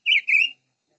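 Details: Two joined whistled notes from a silver-eared mesia, bright and high, the second slightly longer with a wavering, fading end.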